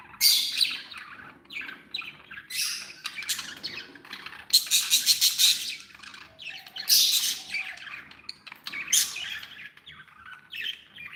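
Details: Happy pet budgies make harsh squawks and busy chirping warbles, loud bursts recurring every second or two over a faint background hum.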